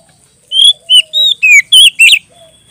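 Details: A loud, clear, ngeplong-style song from an Oriental magpie-robin calling a rival: six bright whistled phrases, some rising and some falling, delivered in a steady run after a brief faint note.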